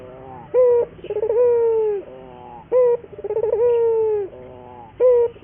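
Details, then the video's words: Puter dove training and lure song: a short punchy coo, then a trembling run of notes that stretches into a long sagging coo. The pattern repeats twice before another clipped coo. "pancingan burung puter gacor, melatih burung puter lokal agar cepat gacor"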